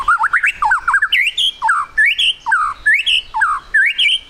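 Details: White-rumped shama singing as a lure to make birds sing quickly: a lively repeated phrase of looping whistles, each rising and then dropping, given about every half second.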